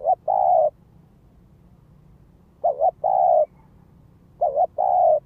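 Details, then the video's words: Spotted dove used as a decoy, calling to rouse others: repeated pairs of a short wavering double note and a longer steady coo, roughly every two seconds, with a faint low hum behind. "Tiếng chim cu gáy mồi đất Gáy Gọi Thúc Kích Bổi"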